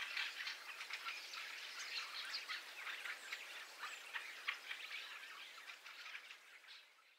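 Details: Fieldfares in a winter invasion flock, stereo XY recording: many birds giving rapid, overlapping rasping chuck calls in a steady chattering mass, with a starling roost in the background and the sound fading at the end.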